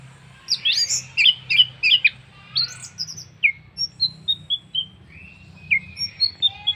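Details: Orange-headed thrush singing as a lure for other birds: a rapid jumble of sharp, scratchy high notes, then a spaced run of thin single whistles and chips.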